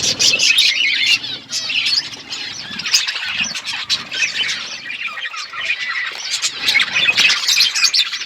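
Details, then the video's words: On February 25, 2024, a parrot eating food: irregular harsh squawks and chirps, roughly three a second, overlapping in a busy high-pitched chatter with faint low rustles. "Beautiful Parrot eating food birds chirping sounds"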